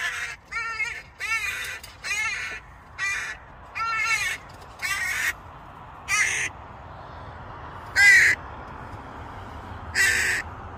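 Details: Hooded crow near an airport in Norway, part of a small family fed bread: a long run of rasping, nasal caws, first in a quick series, then slower and spaced out, the last ones louder and sharper.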